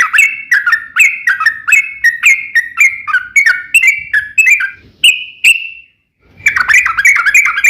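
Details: Rapid bubbling 'ropel panjang' song of a trucukan, or yellow-vented bulbul, played to make other bulbuls sing: fast warbled notes, then two drawn-out clear whistles, a brief silence, and renewed chattering.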